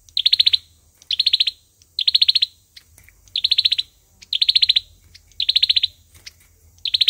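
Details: Fighting song of an olive-backed sunbird used as a trapping lure: six rapid bursts of around eight bright, high staccato notes, spaced just over a second apart, over quiet background.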